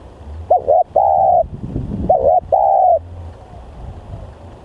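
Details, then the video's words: Spotted dove, used as a lure call, giving two loud cooing phrases, each a short wavering coo followed by a longer level coo, over a low rumbling background. "Pikat Tekukur//Ini Kalau Liat Bl Sangat Bringas//Alias Sangat Gacor"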